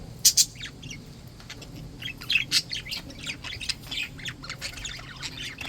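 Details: Happy budgies, healthy pets, open with two sharp squawks, then keep up a run of quick scratchy chirps and high twitters.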